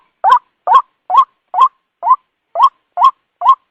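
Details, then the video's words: White-breasted waterhen call used as a night-time lure: eight loud, nasal, upward-bending 'kwak' notes repeated at a steady pace of about two per second, with clean silence between them. "suara pikat ruak ruak malam hari terbukti gacor"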